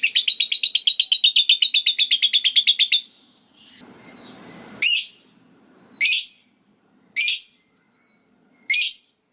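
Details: Lovebird giving a long ngekek chatter after ngetik ticking, said to set other lovebirds chattering: a rapid run of about 25 high buzzy notes over three seconds, then four loud sharp ticking notes about a second apart, a faint rustle between.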